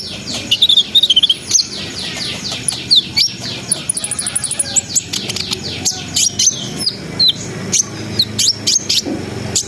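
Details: Brown-throated sunbird in lively, nonstop song used to raise breeding arousal: dense falling slurred whistles mixed with rapid high chips and a brief thin trill, then spaced sharp ticks to the end.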